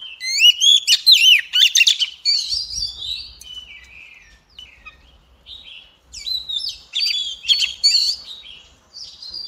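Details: White-rumped shama song with a loud opening of rapid rising whistles and chirps, followed by softer scattered notes and another strong whistled phrase, faint low thumps in the background.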